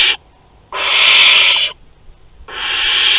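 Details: Barn owl at Théding, 23 August 2020, an older bird offering prey to a younger one. Harsh, hissing broadband screeches: one clipped at the start, a long one of about a second, then another rising at the end.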